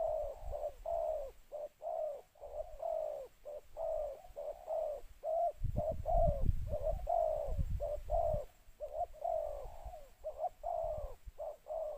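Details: Spotted dove used as a decoy, cooing to attract others in a two-note 'khu-ang' pattern. A steady run of hollow, slightly falling coos repeats about once a second, with a low rumble midway.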